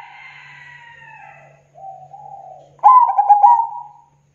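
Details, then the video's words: Zebra dove song: a long, steady, low tone fading out, a brief lower note, then a loud rolling coo with rapid stutter-like pulses that slowly trails off. "Suara Burung Perkutut Gacor Tebal Jernih dan Bersih"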